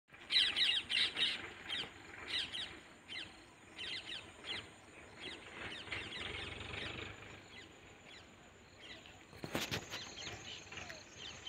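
Harsh, screechy parrot squawks come in quick bursts, with several birds calling over one another, then a sharp knock near the end against a faint steady hiss.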